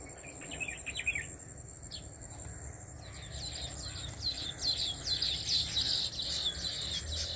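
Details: Weaver birds building many nests from grasses in a single farmhouse tree. Busy, high-pitched chirps and twittering notes overlap rapidly, thin at first, then growing denser and louder in the second half, with a steady high insect hiss behind.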